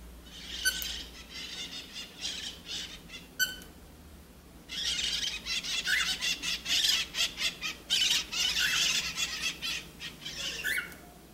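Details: A cockatiel at a mirror gives bursts of harsh, high chattering calls with short squeaky notes.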